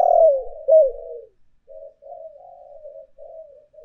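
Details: Urging and calling coos of a spotted dove, made as a lure recording: two loud, low, falling coos, then a string of softer, gently wavering coo notes.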